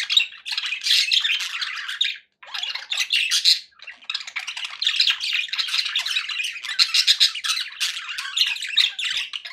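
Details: Happy pet budgies chattering nonstop in rapid, buzzy warbles and squeaks, pausing only briefly near the two-second mark before resuming the lively twittering.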